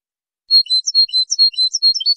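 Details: European goldfinch song for teaching birds, recorded in high quality: after a short pause, a lively string of high whistled notes mixed with buzzy chirps, repeated evenly at a quick pace. No other sounds are audible.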